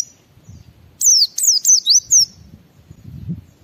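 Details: Gacor white-eye (pleci) singing to prompt other white-eyes to sing, a run of five high, sweeping whistled notes falling and rising in quick sequence, with soft low rumble before and after.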